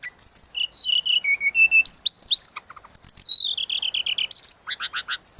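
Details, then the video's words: Tledekan laut in lively flute-like 'suling' song for tutoring songbirds: a descending ladder of whistled notes, a swooping rising whistle, then a fast series of repeated buzzy chips. "Burung tledekan laut suling gacor"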